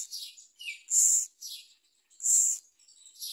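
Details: Parent myna feeding a large blue caterpillar to its chick; two loud hoarse rasps stand out among softer thin chirps and short scratchy notes.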